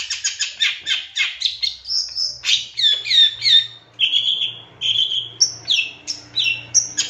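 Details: Long-tailed shrike song used to provoke a rival bird into singing and agitation. Rapid harsh stutters open, followed by clear slurred whistles, descending squeaks and short piercing high notes.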